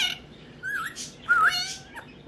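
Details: A one-year-old male African ringneck (rose-ringed) parakeet gives two short, squeaky, wavering whistled phrases about half a second apart, imitating the words "Peekaboo" and "Gimme kisses".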